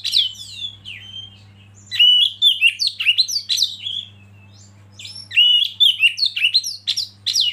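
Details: Oriental magpie-robin lead singer used to provoke rivals into song: an opening whistle, then two dense bursts of rapid, scratchy, warbled and whistled notes separated by a short quiet gap.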